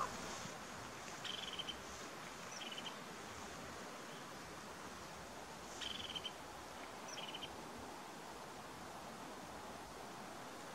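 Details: Northern hawk owl (Surnia ulula) at Almunge, Uppland, Sweden, giving short, high chattering trills in pairs, each burst about half a second long, over a steady hiss of wind or distant noise.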